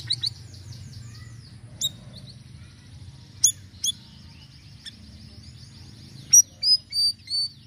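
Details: Sirisiri bird in lively song used as a lure, with varied notes: high thin chirps and short trills, then a run of rising-falling whistled notes near the end, over a low steady hum.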